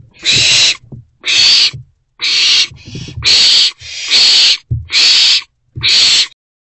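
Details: A young barn-box owlet in a nest box, at night around 3 am on 24 April, while eating a large rodent, gives harsh, breathy hissing screeches, each about half a second long, repeated roughly once a second with short silent gaps.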